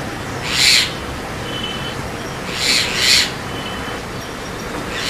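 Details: Javan myna, also called white-vented myna, giving harsh, wheezy, broadband rasps: one near the start and a doubled rasp near the middle, separated by quiet stretches with a constant hiss.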